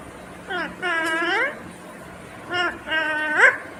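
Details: Indian ringneck parrot, green, speaking in clear speech-like phrases: a drawn-out rising-falling word, then a pause, then two quicker syllables ending on a sharp high note.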